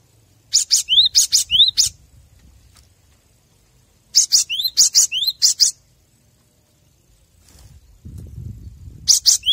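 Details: Cinereous tit song for training captive birds: two vigorous bouts of scratchy bursts mixed with upward-sliding whistles, separated by a long silent gap; a low rumbling noise appears before a third bout starts at the end.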